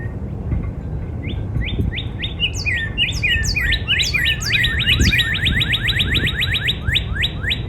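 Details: Northern cardinal singing in a backyard in spring: a fast series of clear whistled notes, each sliding sharply downward, repeated about three to four per second and speeding up, with thin high chips from other birds and low background rumble.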